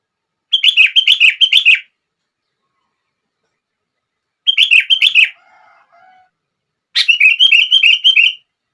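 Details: Sooty-headed bulbul song meant to trigger other bulbuls: three long runs of quick, repeated bubbly notes at steady pitch, spaced by silences, with a faint low hum after the second run.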